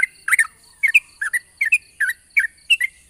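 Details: Morning lure song of a yellow-vented bulbul in the long 'ropel panjang' style, meant to set other bulbuls singing: paired liquid chirps repeated about every third of a second in an even, bouncing rhythm.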